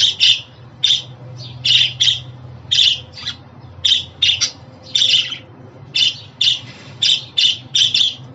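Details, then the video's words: Budgerigar chirping used to get a pet budgie to call and grow used to its home: sharp, grating notes in quick pairs and singles, evenly spread across the stretch, over a low hum. "Muhabbet Kuşu Sesi, Kuş Sesi! Muhabbet kuşu ötüşü, muhabbet kuşu çağırma sesleri!"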